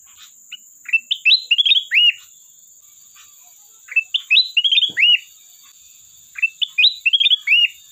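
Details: Sooty-headed bulbul, golden variety, in full persistent song with learned fill-ins, calling out to a rival: three bursts of bubbly, slurred whistled notes, each about a second long, separated by short pauses, over a faint steady high hiss.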